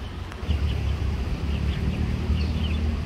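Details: Eastern spot-billed duck ducklings, a large brood with their mother on an urban stream, each playing on its own; short high peeps repeated irregularly over a steady low rumble of city noise.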